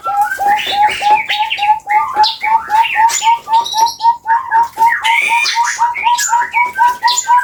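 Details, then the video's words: Long call of a Javan chestnut-bellied partridge from Java, Indonesia: rapid series of short upslurred whistles, about four per second, steady in pitch, while other birds chirp and twitter busily above. "suara panjang PUYUH GONGGONG"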